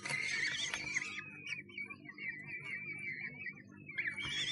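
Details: Common kestrel in a Sussex nest box, recorded 1 June 2011: a harsh, noisy burst opens, followed by a long quavering whine that trembles rapidly, then another rough burst at the end, all over low hum.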